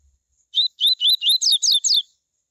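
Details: A coleiro tui tui gives its warming-up song for other coleiros, a brisk run of seven bright whistled notes that start with upward slurs and finish with descending swoops. No other sounds are present.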